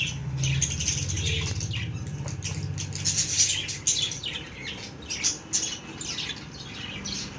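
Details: Pet baby budgies giving rapid, scratchy chirps and squawks almost continuously, over a low droning hum.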